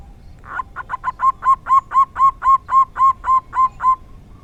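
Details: Local zebra dove giving the rare 'dor tak kowor kowor' song: a rough opening note, then a rapid, regular series of about fourteen soft rolling coos building in strength.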